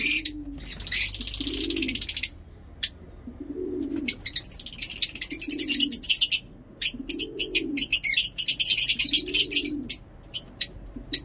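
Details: Lovebirds in heat giving long ngekek chatter, a dense stream of shrill high chirps and squeaks. Low pigeon coos repeat about every two seconds underneath.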